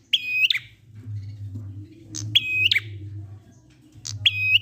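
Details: Prinia singing the ngalun song used to draw other prinias into song: three buzzy trilled phrases about two seconds apart, each ending in a quick downward note, with a low hum underneath.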